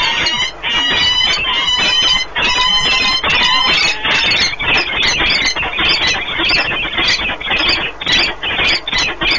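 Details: Peregrine falcons at Orlen Płock, Poland, 1 March 2019, in a long pair meeting and bonding at the nest: a quick series of ringing, harmonic squeals gives way to a ragged, continuous harsh chatter.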